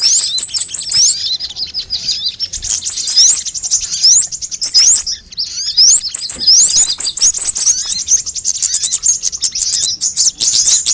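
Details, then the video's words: Recording of assorted sunbirds used as a lure and tutor track to get birds singing fast: continuous high-pitched twitters and squeaky trills, one short lull near the middle, then dense chirping resumes. "suara pikat semua jenis burung kolibri"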